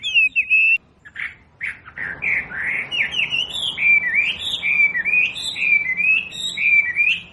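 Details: Wambi song used to train captive birds: a short whistle, a few sharp notes and a pause, then a long run of rising and falling whistled notes in quick succession.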